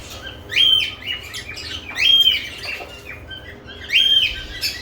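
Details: Lovebirds around fresh nest boxes repeat a loud rising whistled chirp roughly every one and a half seconds, each followed by scratchy chatter; low indoor hum beneath.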